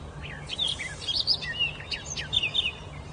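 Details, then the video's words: Bird singing freely and at length in a forest: quick bright whistled and warbled phrases, some rising and some falling, given in short bursts over a faint low background rumble. "Pássaro na floresta cantando muito."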